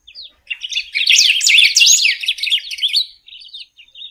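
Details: Pepitero or picahueso, the golden-billed saltator, in song: a couple of soft opening notes, then a loud, rapid, jumbled warble for two seconds, trailing into quieter scattered chirps.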